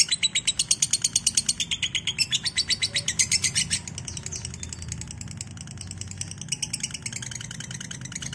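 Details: Lovebird ngekek chattering on a lure recording meant to get lovebirds trilling. Rapid high chirps ring out clearly for about four seconds, then fade into a blurred chatter over a low rumbling hum.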